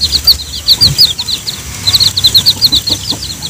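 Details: Domestic chicks fed banana by a mother hen peep rapidly, with short high downward-sliding notes in quick bursts, several birds calling over one another.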